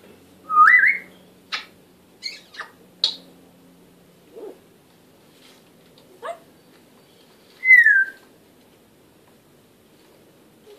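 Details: Talking African grey parrot indoors giving a rising whistled call, scattered clicks and short squeaks over several seconds, then a second loud whistle that slides downward, with quiet room hum beneath.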